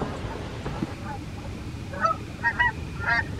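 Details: Morning flight of wild Canada geese, USA: after a quiet start, a quick run of nasal honks arrives in the second half, three or four calls in close succession over a low background rumble.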